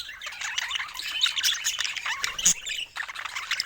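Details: A few seconds of budgerigar chatter from pet birds: quick buzzy warbles and squeaky chirps overlapping, with one louder sharp squeak near the end.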